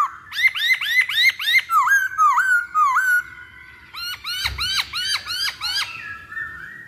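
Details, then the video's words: Masked laughingthrush singing, a lure meant to set other birds singing: rapid series of bright upslurred whistled notes, a few slower swooping phrases, then another fast run of rising notes. "Pancingan Poksay Hongkong Paling Ampuh"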